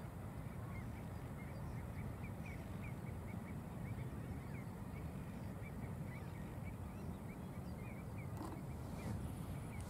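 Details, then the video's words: A common redshank in courtship in Heemskerk, the Netherlands, gives a long run of quick, even, piping notes, several per second, over a steady roar of wind. "Common Redshank Courtship"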